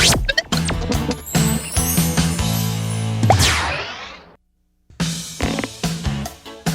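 Music with cartoonish boings, plops and scratching effects, broken by a brief silence, with no animal voice.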